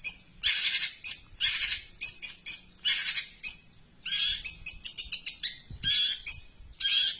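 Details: Long-tailed shrike in continuous song, a chain of harsh, buzzy bursts and high whistled squeaks, delivered in rapid irregular groups with brief pauses.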